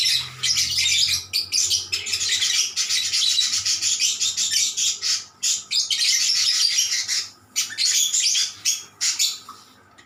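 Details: Vigorous, tireless lovebird chattering as birds respond to one another, a rapid flurry of sharp high chirps and squeaks in long runs, trailing off toward the end.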